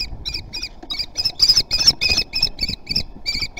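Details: Common kestrels on a nest platform at Théding, France, on 29 June 2020, amid agitation on the platform: a fast run of short, sharp, high chipping notes, about three a second, rising and falling in loudness.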